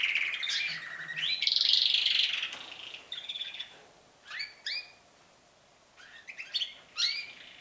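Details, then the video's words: Canaries starting their song season; a loud sustained trill and warble in the first seconds, then spaced sharp chirps in pairs and small groups after a short pause. "śpiew kanarków, canaries singing, canários cantando"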